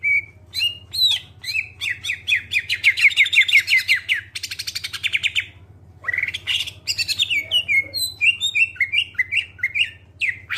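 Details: Clear-voiced greater green leafbird song meant to prompt other birds into full song: fast chattering trills and sweeping whistled notes in long bursts, a short pause near the middle, then more varied downslurred whistles over a faint low hum.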